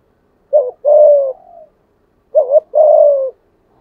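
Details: 'Giọng thổ' spotted dove singing to lure wild rivals into a fight: two clean phrases, each a short rising-falling note followed by a long, even coo that fades downward.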